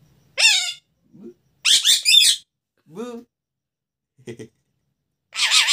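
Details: Pet parrot talking in a quiet room: several short harsh, speech-like syllables with strong harmonics, a squeaky rising phrase near the middle, low soft grunts between, separated by silent gaps.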